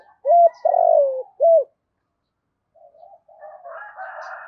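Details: Decoy spotted dove luring wild birds with a deep, soft coo phrase of a clipped note, a long rolling downslurred coo and another clipped note, followed after a pause by fainter, rougher murmured sounds.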